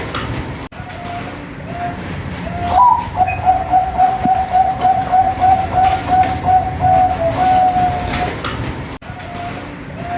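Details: Bangkok-type zebra dove cooing as a training lure for contest doves: one higher opening note, then a long, even string of soft rolling coos for about five seconds. A few scattered coos come before and after, over a low rumbling background.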